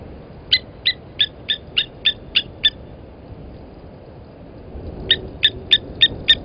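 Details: At a nest with eggs by Gowrie dam, Djuma Game Reserve in South Africa's Sabi Sand Wildtuin, a blacksmith lapwing parent, 31 August 2020 at 11:08: eight hard, ringing tink notes in steady rhythm, a pause, then six more in a brisk series.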